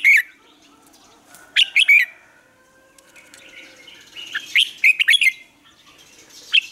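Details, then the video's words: Red-whiskered bulbul morning singing, a lure for training birds: loud chirped phrases separated by quiet gaps, with a busy cluster of sharp rising and falling whistles in the middle section. "Luyện chào mào hót sáng, hót hay"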